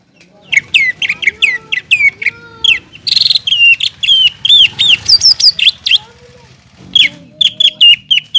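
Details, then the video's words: Caged greater green leafbird in lively song, offered as a model for other leafbirds: rapid repeated whistled notes, a buzzy burst, varied looping phrases, and a faint low hum in the background. "CUCAK IJO GACOR MEMANCING CUCAK IJO BAHAN AGAR CEPAT BUNYI DAN GACOR"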